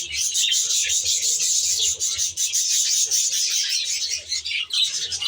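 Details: Many caged budgerigars in an aviary chattering continuously: a steady wall of high, grating twitters and squeaks with little variation, plus a faint low rumble.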